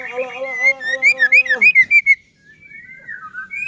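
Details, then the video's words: White-rumped shama song played to spur rival shamas into singing: a buzzy, reedy opening note, then about seven loud clear whistles in quick succession, a brief silence, and soft rising whistles. "Murai batu gacor AMPUH buat PANCINGAN murai batu agar bunyi JADIKAN burung murai EMOSI"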